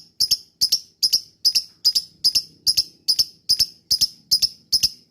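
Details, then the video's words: Lovebird call played to make other lovebirds respond and chatter: a steady, fast series of high, clipped double chirps, about two or three per second, evenly spaced throughout, with a faint low hum behind. "pancingan lovebird ini bikin semua burung lb diam langsung nyaut ikut ngekek"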